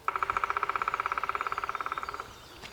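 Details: A male black woodpecker drums on a tree to attract females: a single rapid, even, resonant woody roll of about forty strikes over two seconds, fading slightly at the end.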